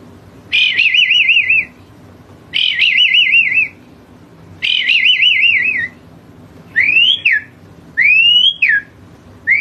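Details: Asian pied starling singing energetically, repeating long trilled, wavering whistles about every two seconds, then switching to sharp upslurred whistles that rise and fall, against a quiet background.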